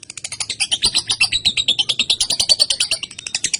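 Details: Female lovebird in a long masteran recording meant to train other birds, delivering a fast unbroken chattering trill of rapid high notes, about eight per second, steady and shrill throughout.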